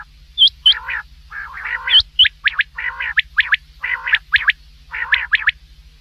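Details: Common quail (batair) night calling for hunting: rough, growly low notes alternate with bursts of clipped two- and three-note calls and hooked whistles, over a constant low electrical hum.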